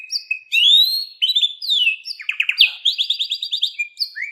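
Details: Canary song of bright rising whistles leading into rapid pulsed trills and chattering rolls, high and clear, delivered without pause over a few seconds.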